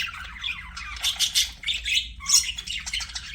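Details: Budgerigars singing during play, a jumbled squawky warble of scratchy mid-to-high notes rising and falling in short clusters.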